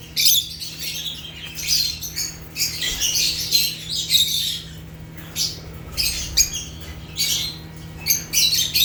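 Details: African lovebirds (Agapornis) giving harsh, high squawky chirps in dense bursts about every second, several birds overlapping, with a steady low hum underneath throughout.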